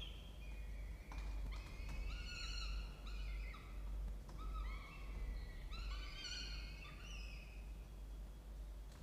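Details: At a nest box in a water tower at Charles Sturt University, Orange, New South Wales, Australia, peregrine falcons, morning of 16 October 2024; sharp clicks then repeated tonal wailing notes, bending up and down, in quick bursts over constant low rumble.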